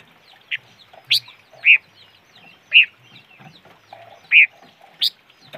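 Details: Bird known locally as noog rheeb or chim ngũ sắc calling: sharp, bright chirped notes at varying intervals, about one every second or so, with a few quieter clucks and soft background noise.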